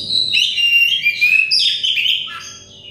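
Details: Short, dense stretch of Oriental magpie-robin song from a stressed, untrained bird, used as therapy for loud singing: layered, gliding whistles and quick warbles, fading at the end, over a faint hum.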